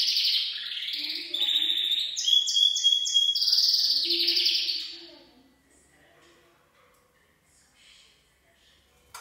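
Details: A male Gloster canary in full song sings about five seconds of fast, bright trills and rolling phrases with clear whistled notes, then falls quiet except for faint background sounds.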